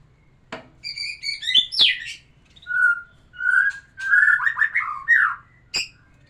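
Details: Murai batu, the white-rumped shama, singing to stir a female into breeding condition: sharp clicks, high squeaky ascending notes, then mellow level whistles and tumbling rich phrases, with a faint low hum beneath.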